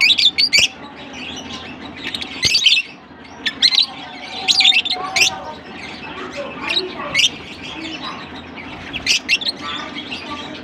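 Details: Shrill, rapid chatter from lovebirds in Larkana: clusters of high, scratchy chirps and squeaks that come in bursts every second or two, with softer twittering in between.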